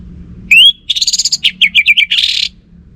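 An Orange-headed Thrush sings a rich, varied phrase: a rising whistle, then rapid chattering notes, a descending run of slurred whistles, and a buzzy flourish at the end.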